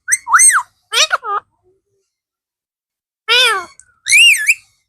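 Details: Talking blue parrot making speech-like sounds. Two pairs of loud rippling, wavering whistled syllables, each pair separated by almost two seconds of silence.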